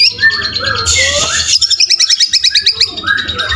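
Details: Caged White-rumped shama in full fighter song: slurred whistles give way to a quick series of repeated pulsing notes, with buzzy phrases in the background.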